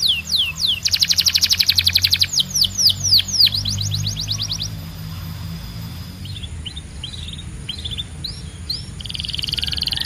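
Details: Belgian canary delivering loud rolled trills and downward-sliding whistles for about five seconds, then softer scattered chirps and a quieter held tone over a low background hum.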